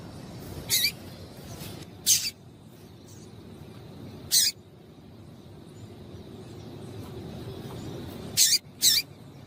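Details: Female double-collared seedeater calling to stimulate the male: a few sharp, high chip notes spaced irregularly over ten seconds, two close together near the end, over a low steady background hum.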